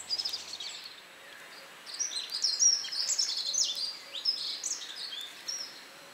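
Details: Perched high up in a leafless tree, a red crossbill utters a busy string of sharp, high chirping call notes, densest in the middle seconds, over constant background hiss.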